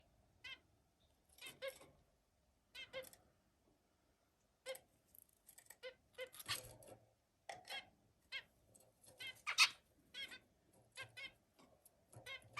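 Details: Zebra finch singing indoors: short nasal, harmonic notes in quick bursts and stuttering clusters separated by brief silences, with a few louder, buzzier notes near the end.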